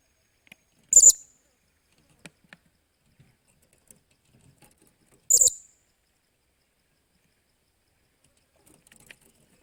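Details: Blue-crowned hanging parrot in training as a decoy bird, 28 July 2021: two brief piercing high-pitched squeaks about four seconds apart, with faint clicks and ticks between them.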